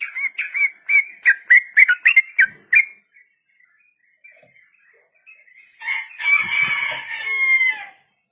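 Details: Sooty-headed bulbul in a long rolling 'ropel' song, kept as a master recording for training young untamed birds: a quick run of bubbly repeated notes, several per second, for three seconds, a pause, then a louder, harsher warbled burst.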